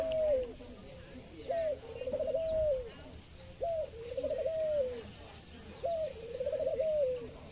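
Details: A zebra dove, whose cooing is described as a laughing voice and very long, repeats its soft coo about every two seconds: a short upslurred note, then a rapid bubbling trill ending in a falling note, over a steady high whine.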